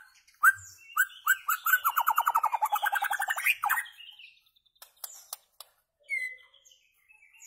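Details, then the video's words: White-rumped shama singing as a tutor for goldfinches and their hybrids: a few clear whistles lead into a rapid rolling trill of mellow notes that climbs in pitch, then some scattered clicks and a final short whistle. "تغريد عصفور الشاما صائد الذباب الهندي"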